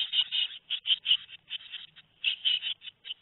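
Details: At Théding on 13 May 2019, two-week-old tit nestlings make high, buzzy, wheezing cheeps in quick irregular groups separated by short silences.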